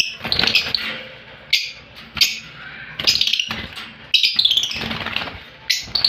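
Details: An opaline lovebird gives shrill, raspy chattering screeches in short irregular bursts, several in six seconds, with faint indoor background noise between them.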